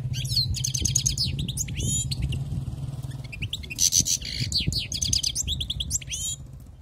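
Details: Wild-caught European goldfinch in full song, a fast, tinkling stream of high twittered and buzzy notes in dense bursts with short pauses, over a steady low engine hum and passing traffic.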